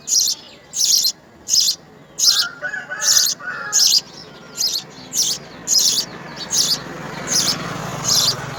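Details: About fourteen loud, high, rasping chirps in a steady rhythm from house sparrow chicks begging as insects are brought to the nest.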